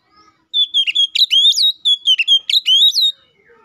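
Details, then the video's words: An oriental magpie-robin in full song, used as a lure to provoke rival magpie-robins into singing, gives a loud, rich three-second burst of sweeping clear whistles and quick chattering inflections, with no other sounds. "KACER GACOR NGEPLONG❗MEMANGIL LAWAN"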